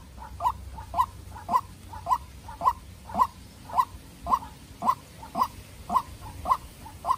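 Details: White-breasted waterhen, a young farm-raised decoy confronting a wild waterhen: steady, regular run of loud hoarse notes, each with a quieter echoing note, close to two per second, low background noise.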